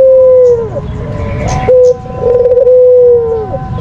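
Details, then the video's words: A white Barbary dove's lure call heard as one coo's falling end, a brief note, then another long, faintly warbling coo that slides down at its close, with a faint low hum. "Puter Putih Full Gacor, Suara Terampuh Paling Dicari !!!"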